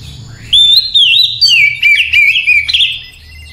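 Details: Calm night-time song of an Oriental magpie-robin, used as therapy for kacer: loud fluty whistles that rise and fall, tumbling warbled notes and brief trills over a low background hum.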